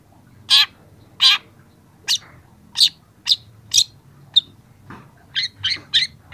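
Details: Young long-tailed shrike used for training, uttering loud rasping notes spaced irregularly, then softer thin chirps and a short quick trio of squeaky notes at the end.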